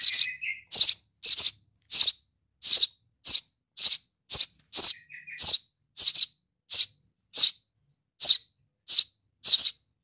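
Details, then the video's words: Baby sparrow calling for its mother: sharp, high chirps repeated about every half second in a steady series, with a brief lower whistled trill near the start and another midway. "suara anak burung gereja memanggil induk .baby sparrow calling for mom"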